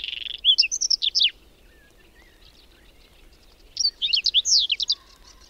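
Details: In a cold, windy May snowstorm near Domzhyritsy in the Berezinsky Biosphere Reserve, a whinchat delivers two brief phrases of quick high chirps, twitters and thin whistles, about two seconds apart, with faint wind noise beneath.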